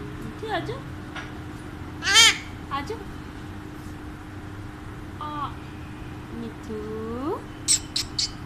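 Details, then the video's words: Pet Alexandrine parakeet talking in short, speech-like phrases with rising and falling inflections, broken by a few sharp, high squawks; a faint steady hum runs underneath. "Alexandrine Parrot Talks Everything"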